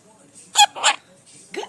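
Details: A pet male monk parakeet talks in short, bright, raspy bursts that sound like imitated human words. His owner is praising him and saying "good boy", "hello" and "good morning".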